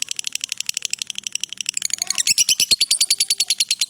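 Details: Lovebird ngekek trill, a long master recording for training: soft, quick chattering at first, then after two seconds a louder, harsher pulsed trill of shrill notes.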